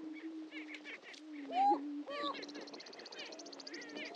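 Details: Greater prairie-chicken lek, Dunn Ranch Prairie, Hatfield, Missouri: a soft continuous booming drone with a sharp rising whoop midway, then a fast, even series of high ticking notes from another caller.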